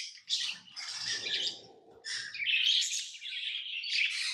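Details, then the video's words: Tame pet lovebirds chirping: dense, harsh, buzzy high chirps and squeaky bursts in continuous overlapping runs, with a brief low rustle early on. "Love birds Sounds | lovebirds chirping sounds| parrot beautiful sounds"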